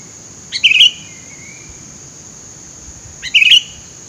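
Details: Sooty-headed bulbul calling from scrub, used as a lure: two separate short gurgling, chirpy phrases about three seconds apart, each a quick jumble of notes, over a continuous shrill background tone.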